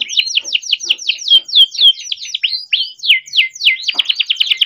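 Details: A captive-bred young canary sings continuously, as a lure for canaries learning to sing. Fast, steady run of swooping whistled notes, about four per second, each sliding downward with a slight buzz.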